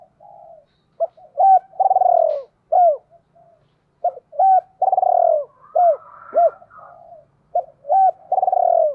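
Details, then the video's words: Decoy spotted dove repeating its 'gáy gọi hai hậu' calling coo. Three loud phrases each pair arched hoots with a rich, pulsing, downslurred coo. Softer overlapping murmurs sound between them. "Chim Cu Mồi cu moi chuan gáy gọi hai hậu mới nhất"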